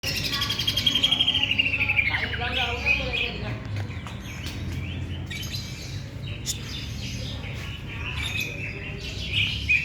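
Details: Greater green leafbird singing: a long whistled phrase sliding down, then varied chirps and warbled notes, with faint low murmuring in the background.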